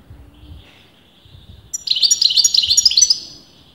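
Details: Goldfinch singing on and on, its sex disputed by experienced breeders: a faint thin sustained whistle, then a sudden bright burst of quick chattering, tinkling twitters lasting about a second and a half before fading.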